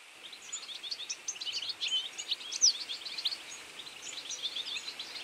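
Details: Feeding flock of European goldfinches in autumn, a dense mix of short high twittering notes and trills overlapping throughout, some louder chirps near the middle, over steady background noise.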